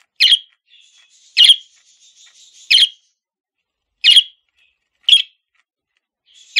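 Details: Pet male parakeet repeating bright, short chirps roughly every second and a half, with soft faint warbling between the calls.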